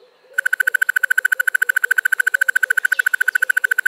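A Crested Barbet's male song: a long, even rattling trill of rapid pulses, about a dozen a second. Softer, lower repeated notes sound in the background.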